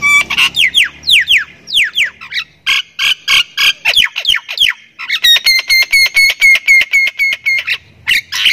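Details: A Thai Javan myna sings a varied, energetic song of harsh squawks, falling whistled slurs and rapid clicking notes about four per second; this bird can also give a laugh-like cackle.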